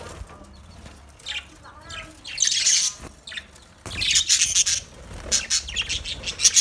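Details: Budgerigars in a colony chirping, short bursts of high scratchy chatter and squawks separated by quieter gaps, with soft wing flutters and low background rumble.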